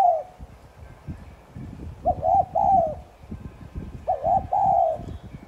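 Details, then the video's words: Spotted dove delivering 'thúc gù' coos to encourage other doves to coo: three-note hollow phrases about every two seconds over steady low rumbling and knocking noise. "Chim cu gáy THÚC GÙ Sát Bổi kích bổi nhanh nổi"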